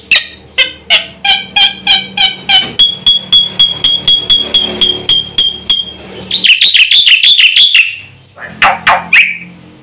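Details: Black-winged myna in fast, full song used as a lure for mute birds; evenly spaced sharp clicks give way to a long chain of high ringing pips, then a warbling trill and a few harsh notes.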